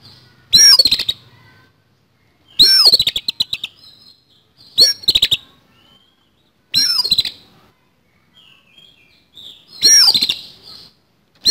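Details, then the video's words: Oriental magpie-robin (kacer) giving a fighting song, the kacer tarung style with a rough fill (isian kasar), used as training to keep the bird singing. Five loud, harsh, high bursts about two seconds apart, with silence between. "KACER TARUNG ISIAN KASAR"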